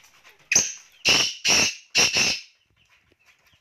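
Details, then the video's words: Black francolin from Pakistan calling: four loud, harsh, rasping notes in quick succession, the last one doubled, over about two seconds, then near silence. "Black francolin"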